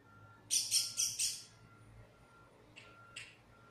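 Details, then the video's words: Lost black bird giving a run of four loud, harsh, noisy squawks in quick succession, then two shorter rasping chirps after a pause, with a constant low hum in the background. "Lost Black Bird making amazing sounds--very smart"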